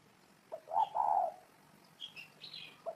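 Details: Spotted dove giving a low, mellow coo: a short note followed by a longer hoarse, slightly wavering one. Brief high chirps from other small birds come afterwards.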